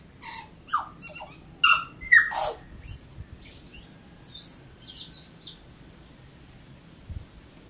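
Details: Native New Zealand tui in full song: bright whistled notes and pings, a grating crackle, then high tinkling squeaks trailing off into quiet, with a soft low thump near the end.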